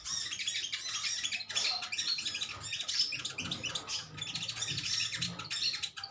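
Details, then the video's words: Metallic greenish sunbirds in a colony trading calls: a continuous, busy chatter of very high, sharp chirps and twitters from several birds, with no pause. "Koloni burung konin metalik ijoan saling adu nyrecet"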